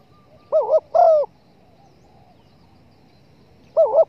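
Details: Spotted dove calling, used to lure the bird for hunters: a wavering double note then a longer flat coo, silence with soft background hiss, and another wavering coo near the end.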